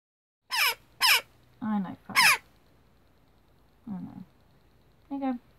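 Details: A rescued, hand-fed Western jackdaw chick gives three loud, harsh, raspy begging squawks, each under a second, while a person speaks softly between them.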